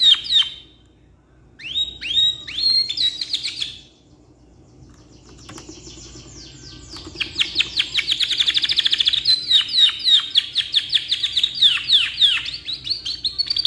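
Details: Canary with a long tutoring song: a few whistled swooping phrases, a quiet gap of about two seconds, then a long, steady run of fast descending rolled notes that builds in loudness.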